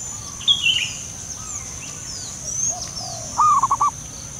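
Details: Wild local zebra dove giving a soft, stuttering burst of rapid low cooing notes near the end, with higher chirps of other birds earlier and a steady high-pitched hum throughout.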